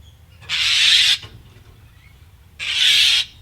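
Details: Common myna (Indian myna) giving two harsh, rasping screeches, each about half a second long and two seconds apart, an alarm call evoked specifically by predators, with a faint low hum behind them.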